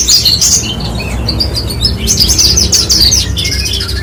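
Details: Horsfield's bush lark (branjangan) pouring out bursts of very high, scratchy chirps and quick twitters, briefly pausing mid-way before resuming with a louder rapid series, over a steady low hum.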